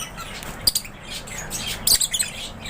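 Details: Aviary lovebirds give a brief run of high, thin chirps and a couple of sharp squeaks, clustered near the start and end, above a faint low rumble.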